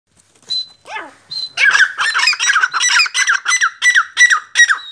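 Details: Black francolin, known locally as Sindhi or kala teetar: a few thin high whistles, then a fast run of harsh, grating, repeated notes, about three per second, each sliding down in pitch, with a steady high whistle tone behind.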